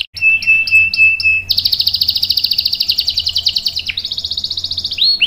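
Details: Canary in full song with a long rolling trill, used as a tutor for young canaries: a steady high whistle with soft pulses, then a fast buzzy roll of rapid repeated notes, shifting pitch in tours, ending in sharp rising chips.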